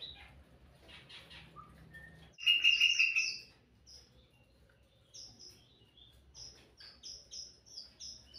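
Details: Sooty-headed bulbul in full song, played to attract birds: a loud burst of dense, rasping warble lasting about a second, followed by a steady series of short, very high sweet notes.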